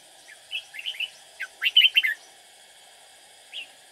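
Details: Red-whiskered bulbul used as a decoy to lure rival birds while trapping: softer warbled notes lead into a loud, fast cluster of ringing up-slurred notes, then one brief note after a pause, over steady hum.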